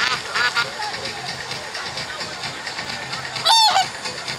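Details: A spoiled swan at Lake Eola in downtown Orlando makes its noise to ask for food: one short, nasal honk that rises slightly and then falls, over a steady hiss of background noise.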